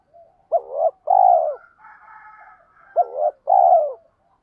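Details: Spotted dove lure call, two repeated phrases of a short rough coo followed by a longer, drawn-out falling coo, with a faint murmuring background between phrases.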